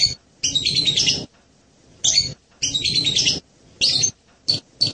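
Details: Blue-crowned hanging parrot giving high, harsh chittering phrases of about a second each, interspersed with shorter shrill chirps and quiet gaps.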